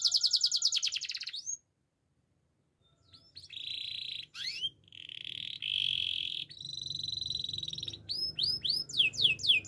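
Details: A canary, said to be a Gloster canary (Belgian canary), sings high, fast rolling trills and buzzy tours, then a brief pause and rapid repeated sweeping notes, over a faint low hum.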